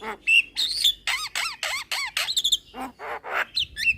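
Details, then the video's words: Young Javan myna in vigorous head-bobbing song: whistled notes, then a run of repeated harsh notes each with a downward-sweeping lower tone, roughly two per second, ending in squeaky whistles. "Burung Jalak Kebo Muda Gacor Manggut - Manggut"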